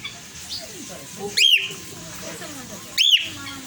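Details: A brown pet male cockatiel gives two loud, shrill whistled calls, each rising sharply then dropping, about a second and a half apart.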